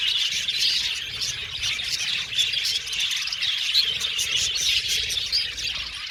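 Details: Many budgerigars in an aviary colony chattering: rapid, overlapping bright chirps and warbled tweets forming an unbroken busy chorus.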